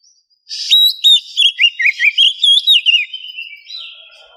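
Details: Morning lure of a female oriental magpie-robin in heat calling the male: a burst of rich, rapid whistled notes repeated roughly three times a second, wavering and looping, fading into a long thin held whistle.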